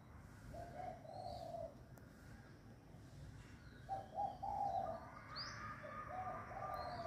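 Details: Doves close together cooing at the dawn of the year's new day: two separate phrases of soft mid-pitched coos, the second longer and stronger, with faint high chirps from other birds in between.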